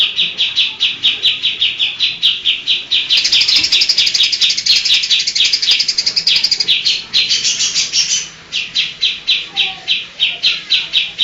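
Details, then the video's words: Greater green leafbird in full, rapid 'shooting' song, loaded with imitations of other birds such as lovebird and kingfisher. Steady high chirps run into a dense, buzzy rattle midway, then the evenly spaced chirping resumes. "Cucak ijo Gacor Nembak Isian Cililin Vs Kapas tembak"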